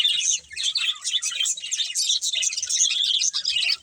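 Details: Pet budgies twitter in quick, rhythmic bursts of high chirps and warbles, with short gaps between the bursts.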